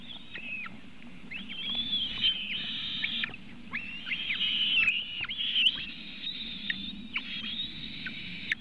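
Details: At a Latvian White-tailed eagle nest, webcam on 24 June 2018 around 3:23 pm, during feeding of the eaglets. Rapid, insistent high whistles and short downward flicks come in restless clusters, about four notes a second, over low hum.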